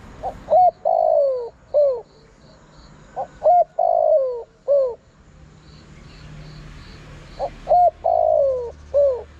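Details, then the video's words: Lure call of a spotted dove for drawing in wild birds: the same four-part coo repeated three times with pauses. A short note and clipped coo lead to a long sliding coo and a short downward coo, with light background chirping. "Chim cu gáy gọi hay kích bổi nhanh nổi"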